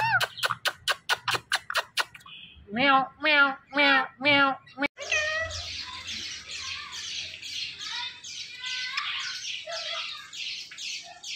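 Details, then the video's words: Pet talking parrot with a person saying meow and go away nearby: rapid clicking pulses, then five strong harmonic voice-like calls, then a longer stretch of scratchy chatter. "My So Friendly Talking Parrot's Talking Clips Compilation"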